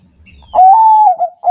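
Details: Bangkok-type zebra dove in full song, played to prompt caged doves to sing: one long smooth slightly rising coo, then two short clipped notes.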